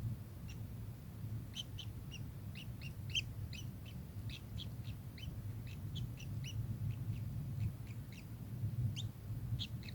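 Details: Kingfisher uttering many rapid, sharp, piercing notes in loose bursts, fairly dense through the middle, over a strong low rumble.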